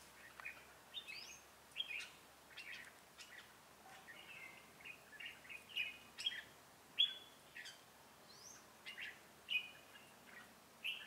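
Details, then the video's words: Red-whiskered bulbul, a call bird for trapping, singing in the Ché style on 25 June 2018: repeated quick whistled phrases and chirps spread over several seconds, quiet against a constant hiss. "Bẫy chào mào Ché cười"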